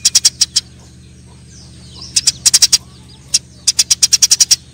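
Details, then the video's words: Eurasian tree sparrows fighting: short groups of loud, high chirps, a pause, then faster clusters of five or six notes, with a soft hum in the background. "suara burung gereja TARUNG !!"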